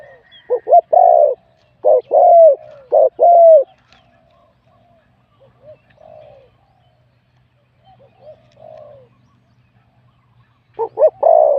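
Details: Spotted dove entered in a singing contest, a wild bird with a medium-to-large voice. It gives loud paired coos, a short note then a long falling one. A quiet stretch with soft distant cooing follows before the loud phrase returns.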